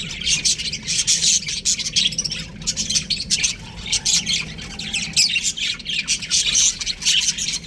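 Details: Aviary of baby budgerigars, a steady noisy babble of high chirps and harsh squawks, pulsing in waves with brief dips between louder bursts.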